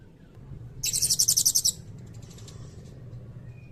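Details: Blue-crowned hanging parrot 'cililin' trill fill used as songbird tutor: a single one-second burst of about ten fast, shrill high pulses, followed by near silence.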